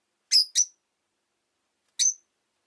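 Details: Pet rosy-faced lovebird uttering two quick shrill chirps followed after a pause by a single similar note, clean background.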